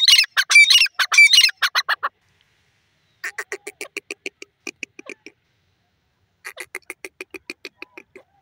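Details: Grey francolin calling: fast bursts of loud, harsh, ringing notes, then two more runs of quicker, softer clipped notes separated by short silences.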